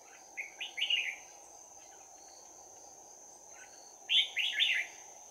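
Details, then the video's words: Red-whiskered bulbul at a trap, 11 January 2019, with a bell-voiced close-quarters fighting song: two bright warbling phrases of clipped, rising-falling notes separated by a pause, with steady high insect noise behind. "Bẫy chào mào Giọng chuông đấu giáp lá cà"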